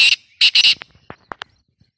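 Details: Black francolin in an energetic calling bout meant to set other francolins calling: three harsh, rasping bursts in quick succession, the last two nearly joined, followed by scattered dry clicks and taps fading out.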